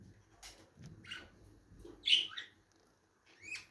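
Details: Lovebirds calling: a few shrill, harsh chirps, the loudest and most piercing one about halfway through, with softer short chirps before and after and quiet pauses between.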